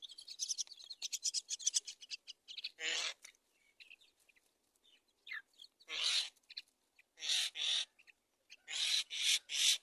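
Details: Baby mynas in a nest begging while they wait for the mother to bring food: a quick run of short, scratchy chirps, then loud harsh rasping bursts of about half a second, repeated in clusters.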